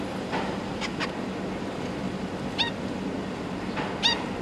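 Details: Young zebra finches, newly out of the nest, with parents feeding them; sparse short nasal calls at about one, two and a half and four seconds against a steady background hum.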